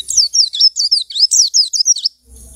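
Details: White-eye in a cage, picked out of a dealer's group cage and singing within two weeks. A rapid, continuous warble of high, bouncing, slurred notes lasts about two seconds before stopping.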